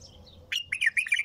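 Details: Bulbul delivers one quick phrase of bright, bubbling notes, a sharp opening note then a fast rippling run that rises and falls, over a quiet background.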